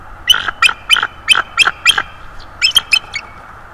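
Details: Beautiful subadult bald eagle at a northeast Florida nest, 19 December 2022, spending time in the nest and branches above, utters an evenly spaced string of about ten high, thin, yelping notes, then a brief tighter cluster.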